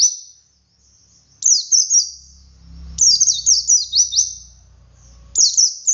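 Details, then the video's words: Wild white-eye giving 'ngalas' style song, a 'wit wit' variation for stirring captive birds into song: high, quick chains of downward-sliding notes in three bursts over a low steady rumble. "Suara Burung Pleci Ngalas Untuk Pancingan Pleci Bahan"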